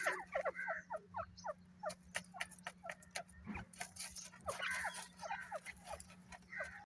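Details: Grey francolin, known locally as dakhni or desi teetar: bursts of short, sharp, downward-slurred notes repeated quickly at the start and again midway, over constant clicking and tapping noises and a steady low hum.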